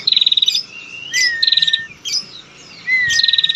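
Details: A female Bar-winged prinia calls, used to lure male prinias into singing. She gives a fast, high ticking trill followed by a thin, slightly falling whistle, the pair repeating about every one and a half seconds.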